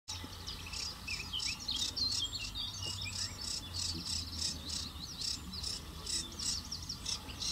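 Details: Eurasian reed warbler singing a fast, chattering run of scratchy and whistled notes that repeat about three times a second, steady throughout, with a low hum underneath.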